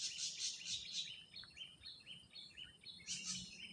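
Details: An ashy drongo sings in the wild: rapid harsh buzzy bursts, then a series of short pulsed whistled notes, ending with more harsh bursts.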